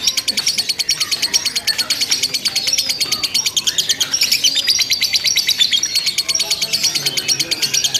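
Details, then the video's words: Lovebird in a simulated singing contest delivering long, unbroken chatter: fast, shrill chirps repeated about three times a second for eight seconds, with occasional thin whistled slides. "LOVE BIRD TERBARU 2025 NGEKEK TANPA JEDA DURASI PANJANG"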